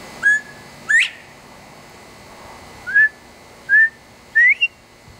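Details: Loud male Northern Bobwhite in a tree in Texas, trading whistles with a person. Two clear calls open the recording, each a flat note then an upward-sweeping whistle. Three thinner, purer rising whistles follow, likely the human replies.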